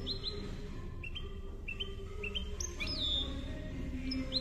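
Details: Málaga-style European goldfinch song for tutoring chicks: paired short rising notes repeated several times, then a high whistled phrase, all over a loud low background hum.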